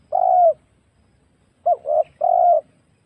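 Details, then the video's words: A wild spotted dove, recorded to lure birds for trapping, gives one long coo, a pause of over a second, then a short clipped note, a softer coo and a final drawn-out falling coo. "suara pikat burung tekukur Liar"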